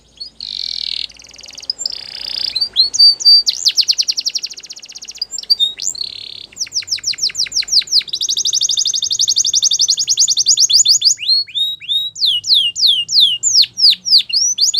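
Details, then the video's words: Singing canary delivering a long, varied song of rapid rolls and trills, mixing buzzy sustained notes with fast repeated chips and sweeping whistles, steady and loud throughout in a quiet setting. "Canary Singing Birds Sounds At Its Best"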